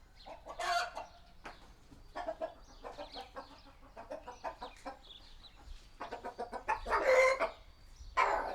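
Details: Small village chicken coop, recorded on a Sony PCM D100 with a Sennheiser ME66: irregular clucks and short grating squawks from hens, building to a louder drawn-out squawk near the end.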